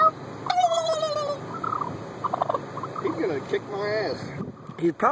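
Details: Angry turkey attacking gives a long descending whine followed by broken, nasal yelps and clucks, while people talk and laugh nearby.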